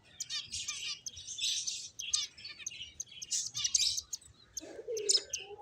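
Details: Finches playing, giving dense bursts of high, thin chirps and twitters in quick overlapping clusters, with short pauses between bursts; a brief lower soft sound near the end.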